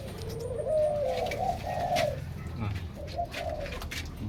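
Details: Captive zebra doves kept in large numbers indoors: soft, low, slightly wavering cooing phrases rise and fall in two groups, with room background noise and faint clatter.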